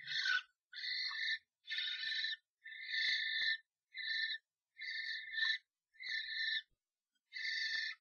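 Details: Three common starlings fighting inside a nest box after a strange starling enters a pair's box; harsh, rasping, buzzy screeches in bursts of about half a second to a second, repeated with short gaps, sounding strained and noisy.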